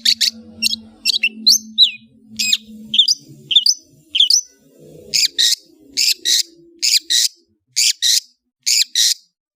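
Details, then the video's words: Long-tailed shrike chirping song: sharp, scratchy upswept notes at an irregular pace, then a run of loud harsh buzzy bursts spaced about half a second apart, with faint low murmur beneath the first half. "CENDET MEWAH ANDALAN Kicau Ocehan"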